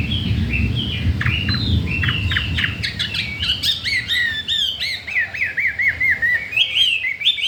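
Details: Newly arrived caged Chinese hwamei, said to want to breed, in continuous varied song: clipped notes and buzzy bursts giving way to a fast series of repeated slurred whistles, over a low rumbling background.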